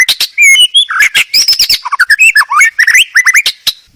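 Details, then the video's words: White-rumped shama pouring out a dense, loud master-tutor song of fluty whistles, slurred upsweeps and sharp chips in quick, irregular succession. "Kicau Burung Murai Batu masteran"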